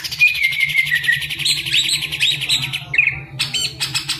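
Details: Caged green leafbird singing a long rapid buzzy trill with thin whistled notes, then scattered chips, over a steady low hum.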